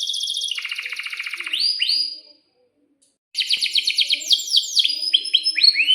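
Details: Canary song used to teach young canaries and prompt them to answer: rapid trilled rolls and upswept notes, a silent gap of about a second, then a fast run of bright chattering trills.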